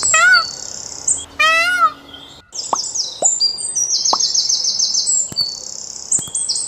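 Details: Indian peafowl at Dekhatbhuli in Kanchanpur, far western Nepal, gives two loud, ringing, harmonic wails close together. Dense high-pitched chirping and twittering of small birds follows, with scattered sharp clicks.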